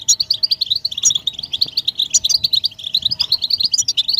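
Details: Group twitter of European goldfinches intended to stimulate singing; a quick, regular patter of high, liquid chirps with occasional sharper notes, over a faint steady low hum.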